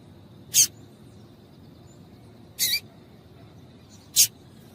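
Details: Female double-collared seedeater calling to stir a male into singing: three short, high, buzzy chips spaced about two seconds apart over faint low background hiss.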